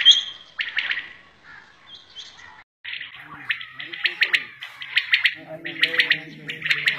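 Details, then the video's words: Common quail (batair) in a Shahbazkhel village, hunting context: a short squeak, then rapid runs of sharp triple notes growing busier, while a man's voice talks beneath them toward the end. "Village Quails | Batair ka shikar ||| Quails Sounds || Quails Calls || Shahbazkhel || Bateraan"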